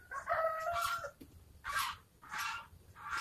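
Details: A batik chicken rooster gives a brief, strained crow of about one second, followed by three harsh, noisy bursts spaced roughly 0.7 seconds apart.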